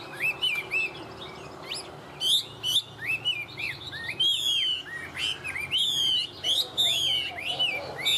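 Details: Well-singing tame Chinese hwamei, Vietnam: quiet whistles open, then loud bursts of looping, bright slurred notes and quick sweeping phrases follow one after another.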